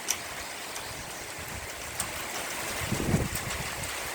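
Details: Steady rain noise with scattered drips and taps, and no clear animal voice.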